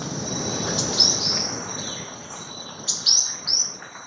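White-winged Tanager giving high, thin, sharp call notes, some slurred downward, in loose pairs and short bursts over about four seconds; faint background hiss.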